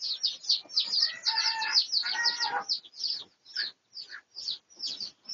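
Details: Red junglefowl of the Pradu colour form, recorded for research on 18 August 2023: two harmonic calls, about a second each, sound back to back over thick high-pitched chirping, which then thins into separate chirps.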